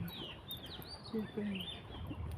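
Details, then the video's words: Birdsong in Gushan Museum Art Park, described as nice to listen to: thin high whistles sweeping up and down, with a few lower chirps and steady outdoor background noise. "ibon. Huni ng mga ibon. Gandang pakinggan."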